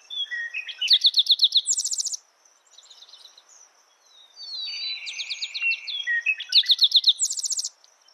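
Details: Spotted towhee delivering two phrases, each made of several bright, evenly spaced notes followed by a buzzing trill. Between the phrases another bird gives a lower, drawn-out buzzy trill, with a constant insect whine behind.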